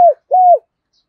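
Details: Decoy spotted dove, thổ đồng voice style, used to prompt other doves to coo: two clean, arched, mellow coo notes, the second slightly longer, in otherwise quiet surroundings.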